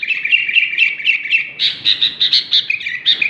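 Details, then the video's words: Sooty-headed bulbul singing: bright, bubbly chirped notes repeated in quick succession, first a lower run, then a higher series of clear notes, about two per second. "BURUNG KUTILANG SUPER GACOR"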